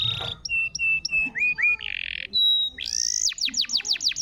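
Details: Canary song for coaxing a silent canary to sing: short repeated whistled notes, a brief buzz, a held pure whistle, then rising and rapid falling sweeps.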